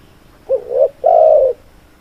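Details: Spotted dove, kept as a songbird, giving one cooing phrase: a brief rising double coo, a short pause, then a sustained, level, mellow coo lasting about half a second, with a quiet background.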